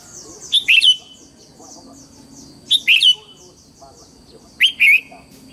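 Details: Repeated morning phrases from a red-whiskered bulbul, three short loud whistled motifs about two seconds apart, each a rising then falling slurred note pair, with soft chirps from other birds between.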